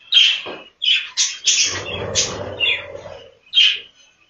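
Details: Budgerigars inside the breeding room of a budgie farm: a quick run of bright chirps and harsh squawks with short pauses between them, plus a low rumbling murmur in the middle.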